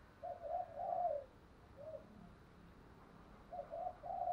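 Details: Spotted dove cooing, used to provoke rival doves to fight. Soft, low cooing phrases come in two bursts, one at the start and one near the end, with a brief note between. A faint hiss of background noise runs throughout.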